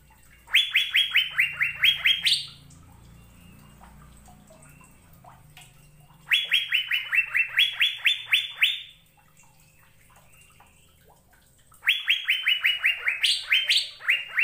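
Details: Singing Asian fairy-bluebird giving three phrases of rapid, clear whistled notes, each dropping in pitch, about ten per phrase with a higher upslurred finish, phrases roughly every five to six seconds; soft low rumble between them.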